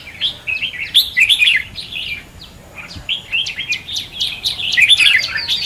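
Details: Red-whiskered bulbul contest song, used as decoy sound for trapping and for training birds to sing: bursts of bright warbled, whistled notes in quick clusters, with a short quieter gap mid-way.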